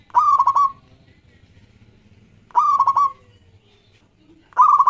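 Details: Zebra dove of local stock, singing briskly and used to lure other doves: three clear cooing phrases, each a rising note followed by rapid stuttered coos, about two and a half seconds apart.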